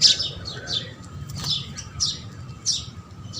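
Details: House sparrows at food chirp in short, bright notes, about two every second, over a low steady rumble.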